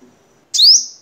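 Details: Crimson sunbird from Vietnam, sound used for training cage birds: a single high, bright note that jumps in and slides upward, briefly held before fading.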